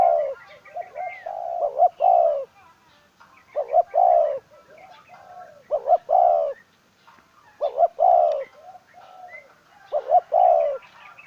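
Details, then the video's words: Spotted dove decoy bird cooing: phrases of a few short rising coos ending in a longer, fuller coo, repeated roughly every two to four seconds, with faint chirps of other birds in the background. "Tiếng chim cu gáy mồi"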